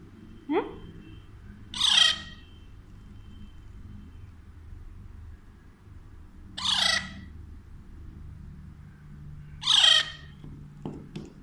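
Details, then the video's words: A pet Alexandrine parakeet, described as talking to a baby in Urdu/Hindi, gives a brief rising note, then three loud, harsh, raspy squawks about three seconds apart over a low indoor hum. "Alexandrine Parrot Talking To Baby"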